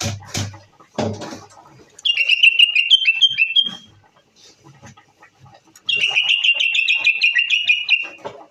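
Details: Possibly a Moroccan Common Bulbul gives two bright, fast, warbling phrases of high chattering notes, each about two seconds long, after a few dull knocks and a short pause.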